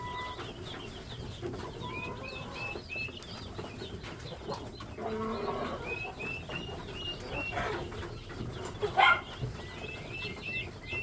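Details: Chicks on a poultry farm peeping steadily: many thin, high, rising peeps overlapping throughout, with rustling and bumping noises and a brief louder clatter near the end.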